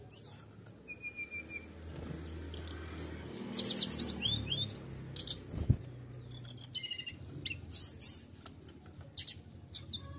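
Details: Canary song used to provoke other birds into singing: rapid high bursts of trills, chattering notes and sharp chirps in varied phrases, with a steady low hum beneath.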